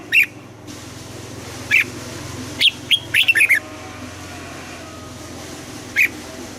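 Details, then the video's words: Red-whiskered bulbul's morning training song, double-note 'âm kép già rừng' style: isolated sharp notes, then a rapid run of five or six clear whistled syllables, with a low hum underneath. "Luyện giọng cho chào mào hót sáng, ép chào mào hót âm kép già rừng hay tuyệt"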